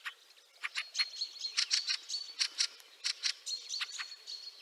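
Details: Snowy March 2023 scene in Liepāja, Latvia, with a Fieldfare giving a steady run of rasping chack notes roughly every third of a second, over a bed of softer twittering from other birds.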